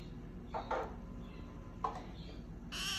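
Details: A pair of orange-fronted parakeets gives a few short, harsh squawks, two close together and then a single one, ending in a louder raspy screech.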